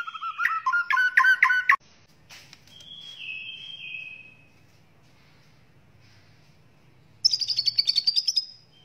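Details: White-rumped shama in vigorous song, recorded to teach other birds its many phrases: a fast, ringing, stuttered trill, a drawn-out falling whistle, a pause, then a high, rapid buzzy chatter.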